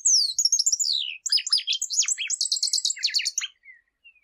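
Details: Chupim, or shiny cowbird, singing a single full phrase: sliding, falling whistles give way to a quick chattering series of sharp, high, buzzy notes lasting about three and a half seconds, with a few faint notes trailing off.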